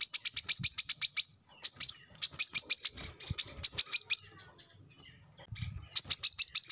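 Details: Lively 'ngobra' chatter from a brown-throated sunbird, a recording used to teach captive birds. Several short runs of shrill, rapid chips are broken by pauses and soft low thuds, with a final run starting after a longer gap.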